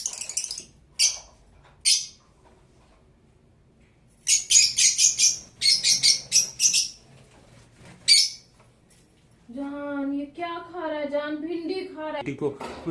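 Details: Blue Fischer's lovebird chattering with strings of rapid, shrill, buzzy chirps that come in fast bursts, then a drawn-out, wavering, voice-like sound takes over toward the end.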